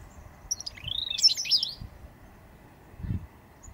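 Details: Endangered eastern bristlebird displaying in late August 2017 near the Cape St George ruins, Booderee National Park, Jervis Bay: a brief burst of high, sweeping whistled notes rising and falling, with low rumbling background noise.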